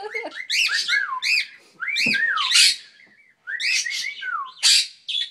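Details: Pet male cockatiel whistling clear, arching notes that swoop up and down in quick bursts while being encouraged to whistle.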